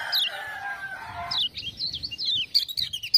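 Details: Lemon-bellied white-eye, a kept songbird from Lombok, sings after being prompted by 'ciak-ciak' sounds. A low, drawn-out crowing-like sound fills the first second and a half, then rapid high zigzag warbling notes follow in bursts.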